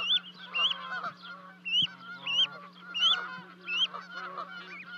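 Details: Canada geese calling on 12 May 2020 at a high osprey nest in Charlo, Montana, while two goslings jump down to their parents. Arched honks come in loose bursts roughly every second, mixed with softer overlapping calls and a constant low hum.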